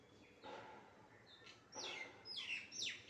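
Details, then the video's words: Pet parrot calling: a few harsh, descending chirps and squawks in the upper range, spaced irregularly, rising in loudness toward the end over a faint background hiss. "parrot natural sound"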